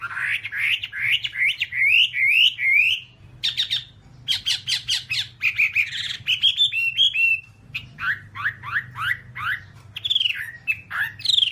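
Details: Whambie song recorded as an hour-long master track for caged birds: quick rising whistled notes in a steady series, bursts of sharp clicking chatter, then more swooping whistles and a loud downslurred ending.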